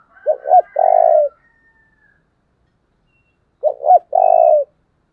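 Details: Spotted dove kept as a decoy and calling to provoke wild birds. It gives two phrases, each of paired short coos and a long low vibrating note, with a thin whistle from another bird early on.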